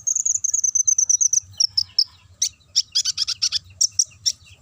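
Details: Lure song of a sunbird (konin) singing ngobra style to provoke others: opens with a quick run of thin high whistled notes, then scattered sharp chirps and clustered trills.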